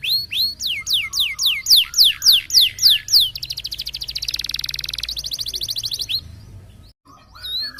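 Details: Canary of the roll type, sung as training material for contest birds: a series of loud descending whistled sweeps about three per second, then a dense rapid rattling roll for three seconds, a brief pause and a rising whistle.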